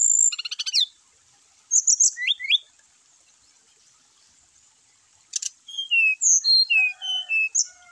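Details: Brown-chested jungle flycatcher song used to provoke caged birds into singing: quick bursts of high buzzy notes, a long pause, then a varied series of clear slurred whistles over a steady high hiss.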